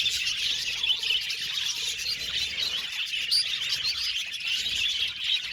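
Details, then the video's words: Many budgies chirping in a continuous high chorus of short tweets and warbled chatter, with one brief sharp whistle standing out midway. "Budgies Chirping Sound"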